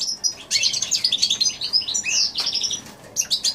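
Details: In January 2016 a goldfinch x canary hybrid sings a fast, sustained twittering song with sweet trills and scratchy notes, ending in a few separate chirps.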